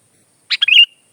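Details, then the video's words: Sooty-headed bulbul singing, a tutor and lure recording: one brief lively phrase of a burry note followed by rolling liquid chirps that run together, clear against silence. "Kicau kutilang"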